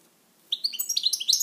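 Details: Short burst of quick, bright twittering notes from a pet European goldfinch, starting after half a second of quiet room hum.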